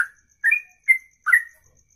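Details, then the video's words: Songbird in long ropelan song, delivered in one breath for over two minutes: a few short, bright whistled notes with sharp rising and falling slurs, separated by short pauses, with a faint high ticking in the background. "Inilah Ropelan Sekali Nafas 2 menit lebih"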